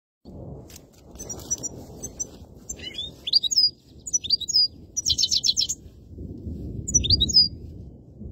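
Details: European goldfinch song recorded for use as a hunting lure: short bursts of high, tinkling, buzzy twitters and rapid trills, separated by pauses, over a steady low rumble of background noise.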